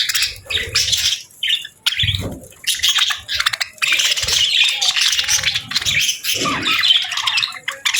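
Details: Parakeets eating a warm meal on a winter morning, chattering in uneven bursts of scratchy chirps, with low thumps and knocks from handling or movement mixed in.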